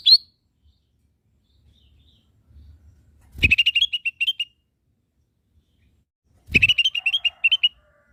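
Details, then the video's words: Tutor song of a lesser green leafbird for training caged birds: two rapid strings of about ten bright, high chippy notes, roughly three seconds apart, each starting with a dull low knock; otherwise quiet. "SUARA BURUNG CAK IJO MINI"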